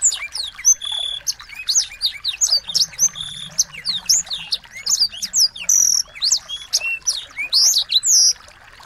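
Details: Small birds singing continuously as a training recording for a white-rumped shama: crowded high chips and slurred whistles, some steady level tones, and loud rising notes toward the end.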